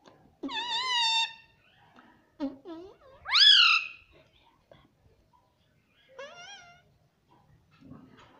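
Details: Pet parrot that talks, said to say "mummy": several loud, drawn-out, wavering harmonic vocalizations, one sliding upward sharply, separated by quiet pauses.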